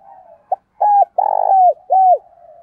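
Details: Lure spotted dove's thổ-style cooing meant to stir wild doves: a clipped short note, then three loud, deep, hollow coos, the middle one longest and ending in a slight downward slur, over faint background cooing.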